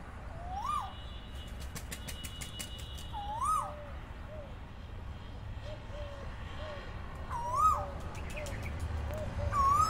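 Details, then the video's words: Asian koel calling in the morning: loud, clear, ringing notes that rise then fall, given four times about every three seconds over softer low cooing from another bird and a steady low rumble. "Make your day with koyal voice and feel happy"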